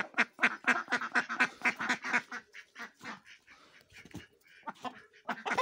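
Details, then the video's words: Ducks having fun in the snow, a rapid series of loud nasal quacks at about four per second, then looser scattered quacks and softer calls from several birds. "Ducks Fun In Snow/Duck Sounds Video"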